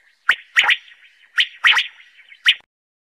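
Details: Common quail (batair) singing in Khyber Pakhtunkhwa, Pakistan, recorded around quail hunting and netting: clear, sharp whistled notes, a single note then a quick double, repeated twice and then a lone note, on a quiet background.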